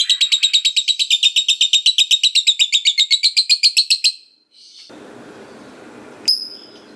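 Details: Lovebird in steady ngekek chatter, played so other lovebirds hear it and sing back: a four-second burst of rapid, regular, shrill pulses, then quiet and one sharp high chirp.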